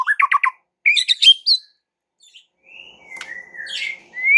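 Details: White-rumped shama song to provoke other shamas into singing: a quick trill of short warbled notes, a burst of higher chattering, a pause, then soft drawn-out whistles ending in a rising note.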